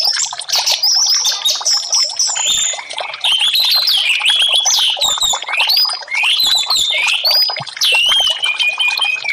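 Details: Orange-headed thrush singing, used as a therapy track to spur stuck caged birds into song: strong whistled phrases that swoop and bend, falling and rising, with brief pauses, against dense high chirping.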